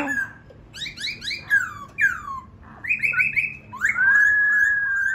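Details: Laughingthrush delivering quick sliding whistles and chatter, several downslurred notes, then a steady, slightly wavering high whistle that holds to the end.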